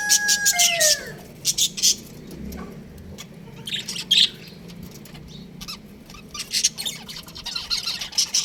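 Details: Budgerigar chicks in an aviary: opening gliding whistles falling in pitch, followed by sparse raspy chirps and squawks in irregular groups with quiet stretches between.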